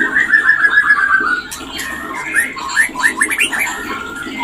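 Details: White-rumped shama calling to bring on breeding condition: a fast repeated rattling whistle for over a second, followed by separate rising slurred notes and short chips.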